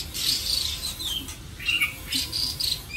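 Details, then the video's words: White-rumped shama kept at a home in Vietnam, with gentle song of high thin whistles and a lower whistled slur near the middle, broken by brief dry ticks, heard indoors over a quiet hum. "chòe lửa tiếng hót êm ái"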